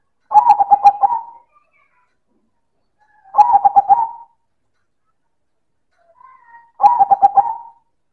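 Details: Silver zebra dove (perkutut) giving loud manggung cooing: three purring, stuttered phrases of rapid coos with a lingering final note, about three seconds apart, with a faint soft note before the last.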